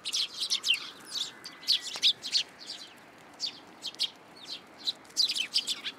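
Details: Several sparrows flying into a plum tree at a Tenmangū shrine to be given food, 17 June 2022; a busy overlapping chatter of short, high chirps in quick bursts, some louder ones near the middle and end.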